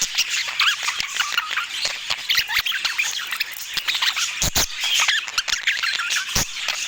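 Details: Budgerigars chirp and squeak at mealtime, a lively stream of short warbled notes broken by crisp clicks and taps from feeding, including two loud knocks; no voices or music.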